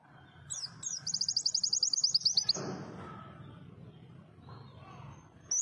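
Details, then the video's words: White-eye (pleci) singing a fast, even trill of high, thin notes for about a second and a half, then falling quiet over low background rumble, with a brief high note at the end. "Kicau merdu si burung PLECI - si kecil suara cabe rawit"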